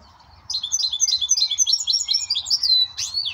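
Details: A goldfinch × red hooded siskin hybrid sings a fast, bright twittering song of high chirps and short trills, ending in a sweeping flourish. A faint low hum sits underneath.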